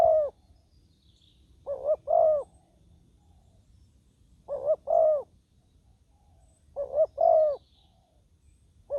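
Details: Ground decoy spotted dove luring wild birds; a steady series of soft two-note coos, a short note and a longer drawn-out one, repeated about every two and a half seconds against a quiet background.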